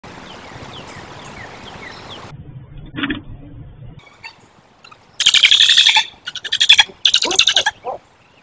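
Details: A female barred owl, angry that her mate came to the nest while she was away, gives three loud bursts of harsh, raspy screeching squawks after a quieter opening of soft rustle and faint chirps.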